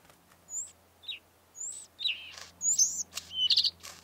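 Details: Bluethroat of the northern form, with a rufous spot on the bib, in the Karkonosze mountains, Poland: varied song of clear slurred whistles, some falling, some rising, with short high notes between and a few brief pauses.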